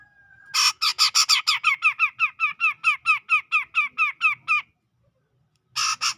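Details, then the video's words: Grey-cheeked bulbul of Sumatra's tropical forest, near Medan, calling continuously: about twenty harsh, down-slurred notes in a steady run of roughly four seconds, then a fresh burst after a pause. "Cucak Jenggot Gacor Ngepik"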